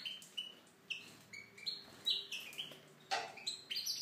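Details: Aviary-kept Tunisian goldfinch delivering a lively song of clipped, liquid twitters and slurred whistles in short bursts, fairly continuous over four seconds, with a quiet background.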